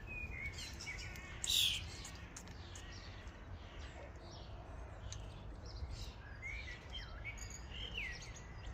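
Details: A flock of common starlings at a feeding station. One loud shrill squawk stands out early, followed by ongoing chatter, clicks and slurred whistles from many birds.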